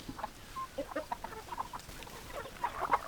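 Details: Clucking hens, a busy mix of short low clucks and quick higher squawks coming close together and growing louder toward the end.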